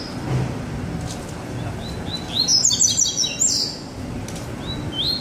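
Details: Two caged Double-collared Seedeaters singing in baderna style: a quick burst of high, rapid slurred chirps in the middle of the recording, with scattered short upslurred notes before and after over low background hum.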